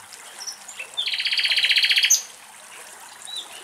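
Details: Nightingale song from the fields of Axios Delta National Park near Thessaloniki, Greece: a few faint notes, then a loud, fast, rattling series of about a dozen repeated notes, followed by quiet chirps.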